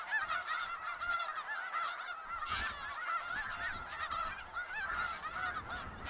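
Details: Snow geese massed in Skagit Valley give a continuous cacophony of high, barking honks, dense and unbroken throughout.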